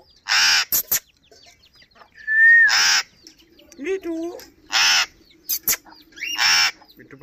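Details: Alexandrine parakeet, called Kashmiri parrot, talking: harsh broadband screeches burst out about every two seconds, with a brief steady whistle and throaty word-like syllables between them.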